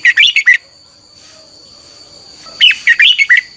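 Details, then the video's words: Morning song of a red-whiskered bulbul, a training recording: a rapid chattering phrase of chirpy whistled notes, a pause, then another five-note burst, with a faint steady whine throughout. "Luyện chào mào hót sáng 2021"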